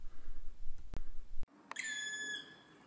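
A Black Woodpecker gives one drawn-out, ringing note lasting about half a second, nearly level in pitch and rich in overtones, after a stretch of low rumbling noise.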